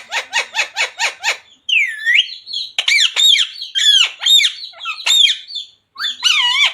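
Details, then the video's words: Parrot imitating human speech, phrases such as radhe radhe and sita ram; opens with a rapid burst of about six harsh pulsed squawks, then a run of warbling, word-like syllables. "Parrot talking radhe radhe | Parrot talking jai shree ram | Parrot talking sita ram | Mummy Papa"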